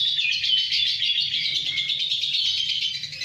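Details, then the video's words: Lovebird recorded in Kedungadem, Bojonegoro, delivering an unbroken stream of shrill, rapid chirping and twittering, dense and high-pitched with little pause, a soft low hum in the background. "Love bird roro laku mentrex"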